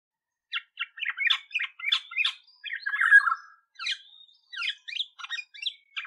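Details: Olive-backed Oriole calls: a rapid series of short, scratchy chattering notes with a longer, warbled, falling phrase in the middle, repeated in bursts.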